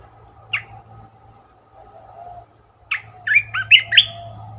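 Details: Caged Red-whiskered bulbul used as a decoy bird: one sharp downslurred note, a gap with low background hum, then a rapid rolling phrase of five melodious whistled notes.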